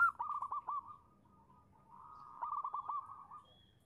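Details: Female zebra dove calling to draw a male's reply; fairly quiet runs of rapid descending cooing notes, two phrases separated by a soft drawn-out murmur.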